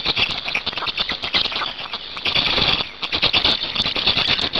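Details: Black storks in Hungary at the nest, 8 May 2019, swapping places and feeding: pulsing bouts of shrill, scratchy squeals with a short lull midway, then a renewed rapid chatter.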